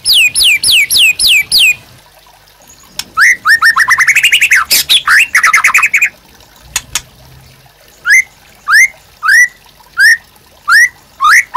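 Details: White-rumped shama song used as a master recording for training captive birds: loud series of rising whistled notes, then a rapid buzzy trill, then spaced upward-sweeping whistles repeated about every half second.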